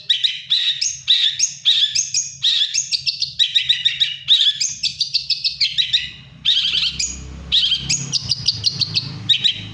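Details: Long-tailed shrike singing during moult: a fast, steady stream of short chattering phrases repeated several times a second for nearly ten seconds, harsh and scratchy, with a low rumble in the second half.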